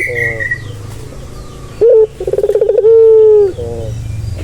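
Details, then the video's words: Barbary dove heard after a noisy start: a sharp clipped note, a rapid rolling burr, then a long, steady, drawn-out coo held for about half a second. "Suara santai yang bisa mengobati burung puter yang lagi stres"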